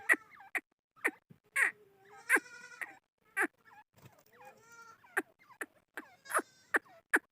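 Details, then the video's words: A chukar partridge gives sharp, clucking chuk notes about twice a second, mixed with nasal, drawn-out cackling notes and soft twittering. "Chakor Ki Awaz | Chokor Voice | Chakor Partridge Voice | Chukor Sound | Chukor Ki Awaz"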